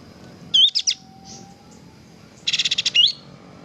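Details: Kapas tembak bird in full song, recorded as a training track: a rising whistle leads into rapid buzzy chatter, a faint note, then a fast run of about six dry pulses closing on an upward whistle.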